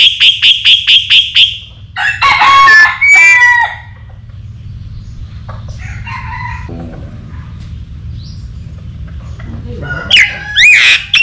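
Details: Rooster crowing beside a myna that likes to keep company with chickens: a rapid series of six bright repeated notes, then a drawn-out harmonic crow of about two seconds, scattered whistles later and a final rising squawk over a low background hum.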